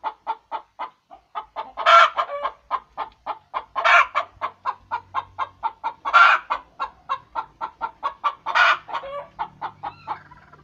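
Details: Hen calling around egg laying: fast runs of short clucks, broken about every two seconds by a loud, harsh drawn-out squawk, with four squawks in all.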